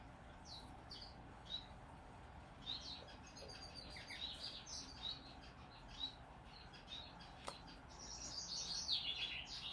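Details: Hand-fed zebra finch x owl finch hybrid baby at day 19, begging: thin high cheeps at uneven intervals, rising into busy raspy chatter bursts, with a faint click partway through.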